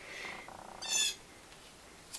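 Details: Blue jay (Cyanocitta cristata) calling outside near a porch where chickens feed, heard through an open office door: a single harsh, nasal half-second jeer, preceded by a thinner tonal note and a low rattle.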